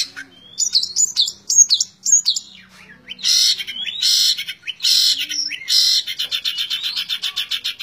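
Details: Long-tailed shrike giving 'tembak ngebren' continuous song, opening with rising and falling whistled notes, then switching to loud buzzy high bursts and a fast stream of clipped repeated notes.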